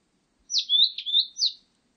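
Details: Recorded in 2020, a Blue-and-white flycatcher delivers a smooth phrase of down-sliding and level whistles joined together, ending with a sharp high downslurred note, about one second long.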